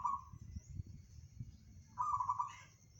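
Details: Zebra dove of local stock (perkutut), 'bedah karang' song style: the tail of one rolling coo, then after a gap a half-second burst of rapid beaded notes ending with a faint rising note, above low-pitched background rumble.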